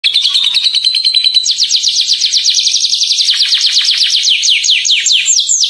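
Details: Atlantic canary, a singing bird used to lure other canaries into singing, delivering a clear high song: a whistled note, then fast repeated descending sweeps and dense rolling trills.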